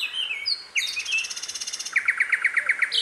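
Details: Sikatan londo flycatcher in the wild, giving rapid sweet chirps and a dry buzzy rattle, then a crisp series of quick clear notes about four per second, over a faint thin background tone.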